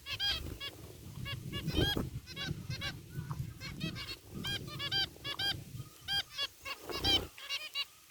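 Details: A group of caged zebra finches, white and gray varieties, calling in an aviary, a dense run of short nasal beeping notes, some rapid doubled, over steady low background rumble.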